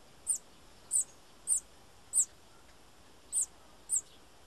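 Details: Six sharp, very high bananaquit notes, brief and falling, spaced about half a second to a second apart with a longer gap, against a soft noisy background.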